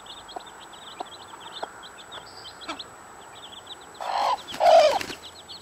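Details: Mother hen with her 15 chicks: faint high chick peeps throughout, then two louder, lower clucking calls from the hen near the end.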